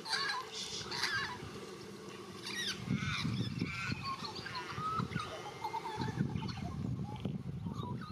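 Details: Australian magpie of the white-backed form singing, a run of mellow warbled, looping notes in the middle of the recording, set against low rumbling background noise.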